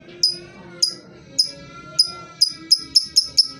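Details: Lovebird chirping, played as a lure to make silent birds sing: sharp, high chips at first about every half second, then quickening toward the end, over a steady low tonal background.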